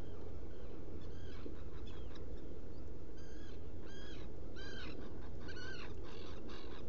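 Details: A black guillemot at its nesting burrow on Seal Island NWR, Maine, at night on 30 June 2018, gives high, thin whistled peeps in quick bursts, several per second, over a steady low rumble of wind or surf.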